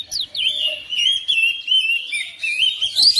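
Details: Home-kept oriental magpie-robin responding to another bird with a steady stream of wavering whistled notes, continuous for three seconds, ending in a sharp high squeak.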